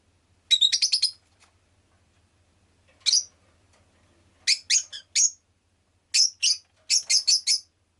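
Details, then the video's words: Pet rosy-faced lovebird chirping: bursts of high, sharp, rapid chirps in quick runs of four to five notes, separated by short silences, in an otherwise quiet room. "Lovebird Chirping Sounds"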